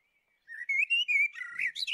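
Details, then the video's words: A common blackbird gives a single song phrase: a sustained, clear whistled warble that rises and falls, then ends in a quick, high squeaky flourish. "Common blackbird call"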